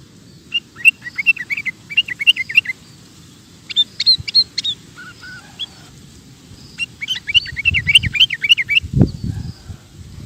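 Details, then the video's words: Lively sooty-headed bulbul song meant for training caged birds: repeated bouncy chirped phrases of quick rising and falling notes in several bursts, some softer lower notes midway, and a brief thump near the end over low rumbling background. "Suara Burung Kutilang Gacor Cocok Untuk Masteran"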